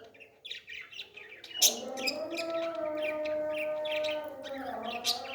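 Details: Young parrot while being fed, starting with scratchy chirps, then a long, steady, nasal whining tone that holds for about three seconds before dipping.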